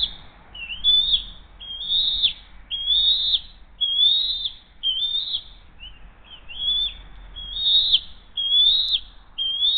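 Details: Bald eagles at the Hays nest, 20 June 2023, 7:43 am, the mother feeding the eaglet a second fish; a steady series of high, sharp whistled chirps about one per second, each with a quick upward flick, over low rumble.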